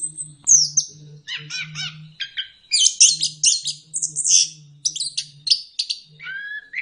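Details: Continuous, complex song of an orange-headed thrush (anis kembang), ngeplong style, played to get lazy kept birds singing: dense high chattering and trilled phrases, twittering bursts and a closing falling whistle, over a faint low electrical hum.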